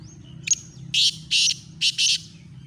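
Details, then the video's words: Black francolin from Khushab giving a rasping call of four coarse, scratchy bursts in a rhythmic group, preceded by a thin whistle and short click, over a steady low hum. "kala teeter ki awaz"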